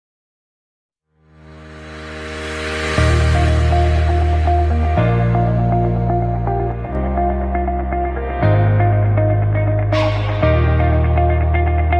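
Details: Only ambient electronic music is heard, with sustained synth chords and a low pulsing bass that begin after a second of silence, and no animal sound.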